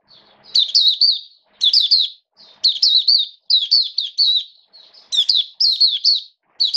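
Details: Oriental white-eye, hobby bird with diet adjusted to rainy weather, 29 September 2022, delivering repeated bursts of three or four quick high chirps about every second, crisp and close.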